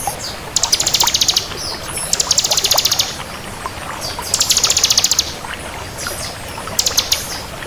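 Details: Lively song of a bar-winged prinia, 'kristal' type: repeated high-pitched rapid trills, about one second each, four phrases with short pauses and thin chips in between.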